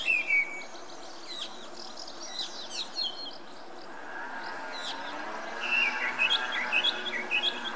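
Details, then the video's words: Song thrush (Turdus philomelos) sings bright, varied whistled phrases, then repeats a short, sharp motif several times in quick succession over a low steady background hum. "Énekes rigó (Turdus philomelos) Song Thrush"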